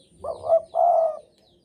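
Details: Spotted dove in breeding mood, Javanese type, a keen singer, utters a mellow two-note coo. A brief wavering note breaks into a sustained, even hoot lasting about half a second.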